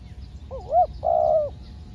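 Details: Spotted dove kept as a decoy for trapping wild doves. It gives a single clear call: a quavering, looping first note, then a drawn-out, even coo that drops slightly at the end. Low rumble underneath.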